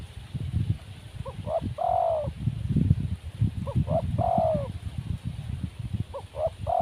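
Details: Wild spotted dove, said to lack nerve, coos three times. Each phrase opens with two or three brief soft notes and ends in a drawn-out, falling, mellow coo. Steady low rustling background.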